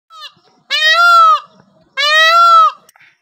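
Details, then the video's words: A peacock gives two loud, nasal, wailing calls, each held just under a second and about a second apart, opened by a brief fainter note. "Peacock 🦚 Sound"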